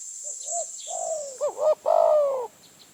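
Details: Wild spotted dove in Phrae, Thailand, drawn in by a decoy bird: a soft short coo, then a longer note, a quick doubled wavering coo and a drawn-out falling croon, over a steady high hiss.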